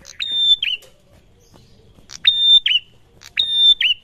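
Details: Close, loud prinia responding to another prinia: three phrases, each opening with a click, holding a flat piercing whistle, and ending in a quick downward buzzy slur.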